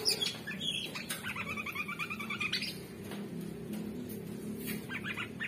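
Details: Orange-bellied leafbird singing hard in captivity: an opening high note, a rapid rattling trill lasting over a second, then softer scattered chirps against a low background hum.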